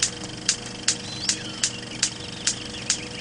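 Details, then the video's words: Superb bird of paradise mating call, dubbed onto silent film from Komo, Papua New Guinea: sharp, high, rasping notes repeated about every half second, with faint thin whistles and a low hum behind. "This is the sound of the superb bird of paradise mating call."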